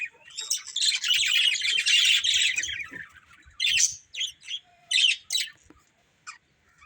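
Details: Budgerigars, a breeding pair, in a dense warbling chatter of buzzy and squeaky notes for about three seconds, then a string of short separate chirps and squawks with pauses between them.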